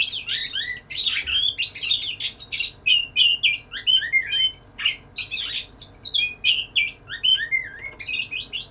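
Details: White-rumped shama singing to attract a female: a long, nonstop medley of whistled slurs, sharp chips and rasping bursts, fast and varied throughout.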